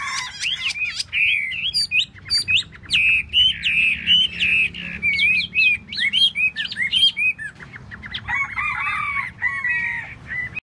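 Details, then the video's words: Chinese hwamei singing during its tail dance: an extended, melodious outpouring of varied whistled phrases and trills, shifting into lower, softer warbling near the end. "Hoa mi mua duoi"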